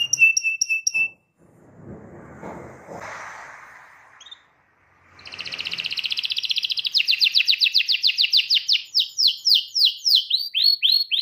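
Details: Young canary learning to sing, on a lure recording for juvenile birds: a long, bright song of clipped high notes, then rapid rolling trills about four notes a second, high and sweet, with a brief noisy rustle early on; Belgian canary.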